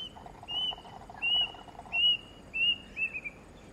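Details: Plaintive cuckoo recorded in December 2017 at Kinta Nature Park, Malaysia: a series of five clear, high whistled notes, each slightly upslurred, about two-thirds of a second apart, the last two lower and quicker, over a soft background hum.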